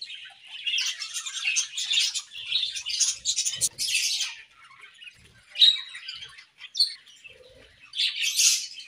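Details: Morning in an aviary with a budgerigar pair, giving bursts of high, raspy warbling chatter separated by short pauses, one bright whistled note near the middle and a final loud scratchy burst.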